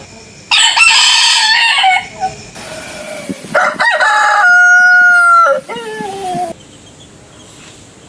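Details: Roosters, each with its own voice, crow in quick succession: a rough, broad crow, then a clear, sustained one with a pure held tone that slides down at the close, over light background noise.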